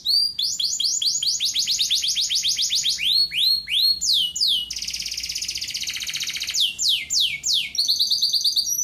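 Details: Male domestic canary song, used for teaching young canaries to sing: fast rolling trills of rapid repeated high sweeps that change tour several times, including a steady buzzy section, with bright chirped phrases at the end.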